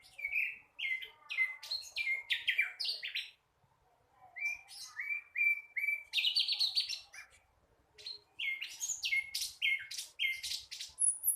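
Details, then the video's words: Flycatcher still learning its song, called sikatan londo locally; long stretches of rapid chirping and whistled notes in bursts, separated by short quiet breaks, with faint low background rumble. "Sikatan londo masih belajar bunyi"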